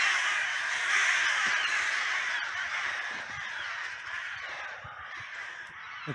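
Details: Aggressive crow flock driving off a buzzard in a cemetery, gulls reportedly joining the attack: rapid, overlapping harsh caws forming a steady wall of sound that fades slightly toward the end.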